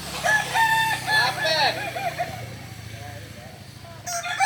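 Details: Kokok Balenggek rooster at a practice contest in Ampang Kualo, Kota Solok, delivers a crow of several stepped, arching syllables over about two seconds, then fades to faint crowing in the background before another begins.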